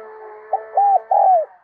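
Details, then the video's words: Spotted dove decoy singing the Đồng Son call to lure other doves: soft mellow arched coos and a drawn-out falling coo over a steady humming musical background. "Chim Cu Mồi Giọng Đồng Son gáy Gọi, Kích Bổi Cực Nhạy"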